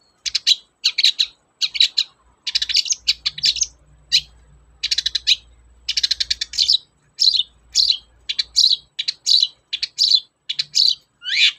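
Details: Long-tailed shrike singing in a lure recording made to prompt reluctant shrikes: a fast, dense run of scratchy, chattering, high notes in tight bursts, with brief gaps and a faint low hum underneath.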